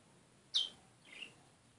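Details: White-throated seedeater calling a lot: a loud, sharp, high downslurred chirp, then a softer, lower chirp about half a second later, over a quiet background.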